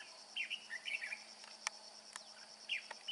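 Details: Short, slurred whistled phrases from a red-whiskered bulbul father carrying food, three brief bursts within a few seconds, with clicks and a steady insect-like drone.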